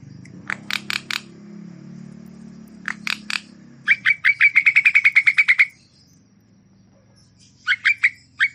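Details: Javan myna song with sharp, clicky chirps in short clusters, then a fast run of about fifteen evenly spaced chattering notes, then a pause before a few more chirps, over a low background hum.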